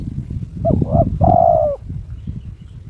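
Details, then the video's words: Owned spotted dove in breeding mood calling to a rival: one phrase of a short double coo and a longer level coo, partly masked by heavy low rumbling noise. "TERKUKUR TOKCER SUARA KRISTAL MENGUNDANG LAWAN/My turtle dove chirps challenging its opponent"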